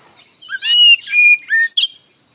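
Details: Oriental magpie-robin in ngeplong style, played as a lure to make young untrained birds reply: three strong, clear whistles, each level or slightly falling, separated by short buzzy chips over a soft twittering background.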